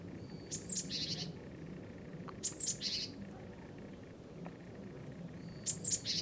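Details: A Eurasian tree sparrow perched on a power line gives three harsh, scratchy threat-call bursts about every two and a half seconds over a steady low rumble, warning off an intruder, perhaps a rival.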